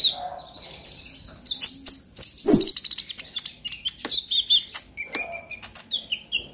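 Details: Used to spur young konin into song, this excited ngobra emosi singing of a brown-breasted purple-throated sunbird gives fast high chips, sharp slurred whistles and steady twittering phrases, with one lower buzzy note near the middle.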